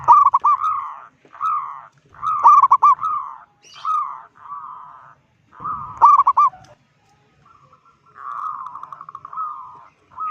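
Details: Loud local zebra dove calling to unsettle rival zebra doves: a long series of rolling cooing phrases, several opening with sharp staccato bursts, ending in a longer trilled coo.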